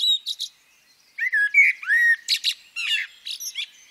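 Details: Female common blackbird: two brief high chirps, a pause, then a run of rich slurred whistles, one long descending-then-level note, followed by rapid buzzy twittering bursts.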